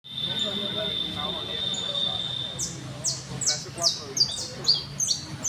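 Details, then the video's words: Criollo canary singing: a long steady high whistle held for about two and a half seconds, then a series of quick descending high notes repeated roughly three times a second, over faint low background hum. "canario 4 trinandor TrINaDor CAnaRio CriOllO"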